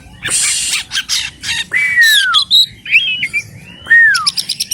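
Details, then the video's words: Forest-type Oriental magpie-robin mixing harsh scratchy bursts with long clear whistles that drop in pitch, about three such slurred whistles among quick twittering notes, over a faint low background hum. "BURUNG KACER ALAS AMAR"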